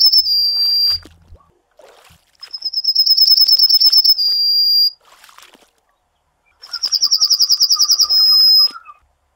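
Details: Three Yellowhammer (Emberiza citrinella) song phrases, each a swift buzzy series of high repeated notes leading into a long drawn-out final note, with quiet pauses and a faint lower warble near the end.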